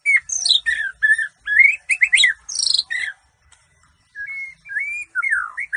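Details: Bahorok white-rumped shama singing for a contest: rich varied phrases of descending whistles, buzzy trills and sharp chips for three seconds, a pause, then clear rising whistled notes and a falling slurred phrase.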